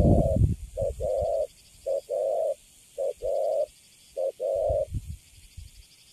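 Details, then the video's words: Newly caught young spotted dove in a cage, delivering Cấn Sấm coos, a quick short note then a longer steady coo, four pairs about a second apart, with bursts of handling rustle at the start and end. "Thổ tơ Cấn Sấm, Bắt về cho vô lòng là đứng im ru. Nước Gù khá là Tốt."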